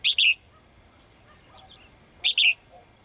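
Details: Female cage bird calling to the male gives two bright double chirps about two seconds apart, with faint softer chirps between.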